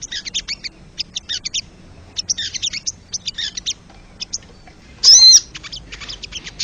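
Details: Crested jay from the wild, played to stimulate caged birds: clean, clipped bursts of high ticking rattles with short gaps, interrupted once by a loud brief harsh squeal.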